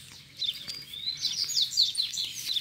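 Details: Double-collared seedeater: a caged male with his female, used to lure two free wild males, sings in the open to challenge rivals. High, rapid twittering phrases with sweeping chirps and quick slurred notes, starting after a short quiet pause.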